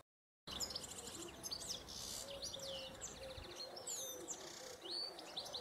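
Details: Wild European goldfinches during mating give bright, rapid twittering, with sharp chirps and short buzzy trills in a dense, uneven flow throughout.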